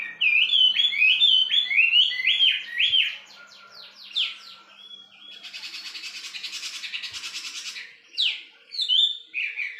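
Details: Wambi bird pouring out fast, chattering whistled phrases, interrupted midway by a harsh buzzing rattle, then resuming with a few swooping notes.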